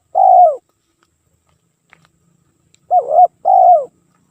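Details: Spotted dove cooing for use as a lure: a long falling coo, a pause of over two seconds, then a paired phrase of a wavering coo and a long drawn-out coo. Background quiet.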